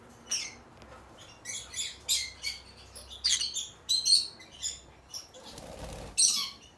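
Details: A pair of green-cheeked conures gives short, scratchy, high chirps in quick irregular bursts, with a brief rustle of wings or movement near the end.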